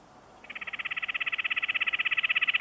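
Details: A male Red-breasted Nuthatch gives a fast, nasal, vibrating trill, its tinny notes running together at about fourteen per second and growing slightly louder. Males give this sped-up yank near the nest at the end of excavation or the start of egg laying.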